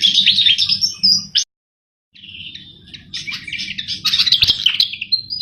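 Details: Javan flycatcher in lively song, used as a lure for catching birds: rapid high chattering twitters, a short silent gap, then renewed dense twittering with a sharp click, over faint low hum.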